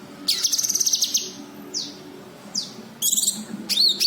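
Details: White-eye calling as a lure to attract wild birds of its kind. A fast, high chattering trill comes first, then two thin upward-swept notes. The clip closes with a burst of high chatter over faint low background hum.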